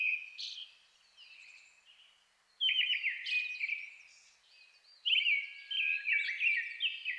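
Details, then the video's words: A Brown-headed thrush sings at dusk in May in a highland forest of Shin'etsu, Japan, while a Japanese thrush sings nearby; three bursts of whistled notes and trills, with thin, twittering high notes between them and short pauses. "アカハラ 鳴き声"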